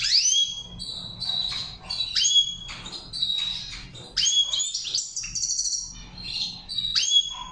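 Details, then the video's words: Trained goldfinch song: rapid tinkling twitter of bright chirps, steep falling whistles and brief buzzy rattles, delivered in bursts with short gaps, against a steady low background hum. "gold finish training singing Saira char chari"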